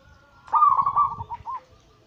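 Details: Single zebra dove phrase from a lure recording meant to set other doves singing: a short bubbly coo that rolls, then two softer closing notes, quiet background.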